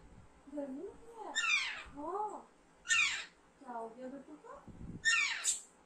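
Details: Raspy descending squawks from an Alexandrine parakeet, three bursts roughly 1.5 seconds apart, with quieter gliding, speech-like murmurs filling the gaps.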